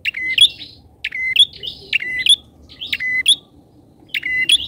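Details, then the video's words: Bar-winged prinia kept as a loud lure bird for catching wild prinias. Five bursts of calling, some doubled, with sharp high notes sliding into buzzy flat tones and uneven pauses between them. "PIKAT PRENJAK!!..PRENJAK LIAR KALAH PAMOR DGN PIKATANYA...GACOR"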